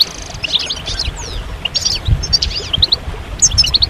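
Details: European goldfinches in a group song used to stimulate males and speed them out of moult, with mating and readiness calls. Scattered bright chirps and short slurred whistles come in quick irregular runs over a faint low rumble.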